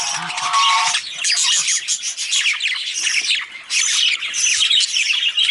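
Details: Male budgerigar chirping in a dense, fast warble of scratchy high chirps and squawky notes, almost without pause, with a brief lower buzzy note at the start and a short dip near the middle.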